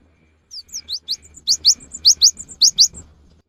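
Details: In the afternoon a Java sparrow sings, its song said to set other birds singing: about a dozen high, sharp rising chirps delivered in a quick, slightly uneven series over three seconds.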